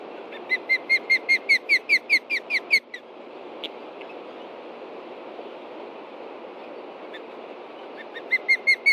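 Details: Nesting ospreys in Montana, 30 June 2013 around 11:30 AM, reacting to a threat on the ground beneath the nest: a fast run of ringing whistled notes, a quiet pause, then the whistles resume.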